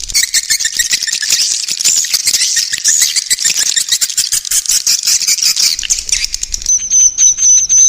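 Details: 'Inap' swiftlet lure, played to get swiftlets roosting: a dense rapid rattle of high twitters and clicks, ending in a thin steady whistle with pulsed chirps.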